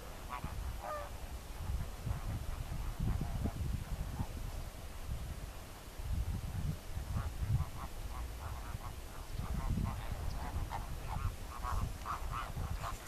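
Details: Distant chatter from a greater flamingo flock: murmuring low grunts in waves, with bursts of nasal, goose-like honking, some repeated in short, quick series.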